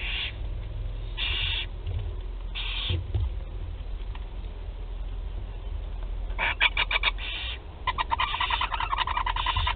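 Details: Barn owl chicks at their first feeding, 8 July 2020, Théding: harsh hissing bursts recur among rapid clicking, rattling runs of sound, with low rumbling noise underneath throughout.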